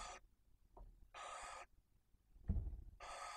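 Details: Barn owl nest in Cabañeros National Park, Spain, where the female broods two chicks one and four days old. Three loud, breathy rasping hisses, separated by quiet gaps, with a soft thump near the end.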